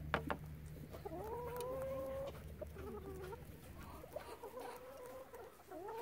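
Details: Relaxed chicken flock with crows removed: drawn-out, tonal, gently wavering calls and soft clucks rise and fall across several birds, with a low steady hum beneath.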